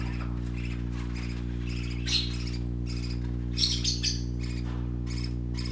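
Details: Baby parakeets in bright colours chatter while playing: rapid, rasping chirps and squawks that grow denser midway, over a persistent low droning hum.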